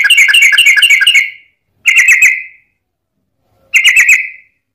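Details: Yellow-vented bulbul fighting song serving as a lure for other bulbuls: three separate bursts of rapid, gurgling whistled notes, the first longest, with silences between.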